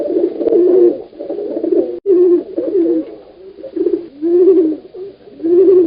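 A pigeon gives low, throaty, rolling coos in several swelling phrases, each fading away before the next. The sound echoes slightly, as if in a small enclosed space.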